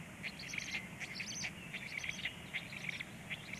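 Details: Chicks of the black stork being fed at 19:13: several voices give sharp, high peeping squeaks in short bunches, with a persistent low rumble in the background.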